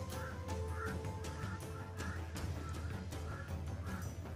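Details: One of many crows calling and flying around a reputedly haunted house, their calls described as strange, giving a string of harsh, hoarse caws about one every half second over a steady low hum that may be music.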